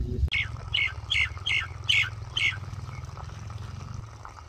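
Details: Common myna singing: a run of six short, bright, slurred notes about every 0.4 seconds, then quieter scattered notes over a steady low hum.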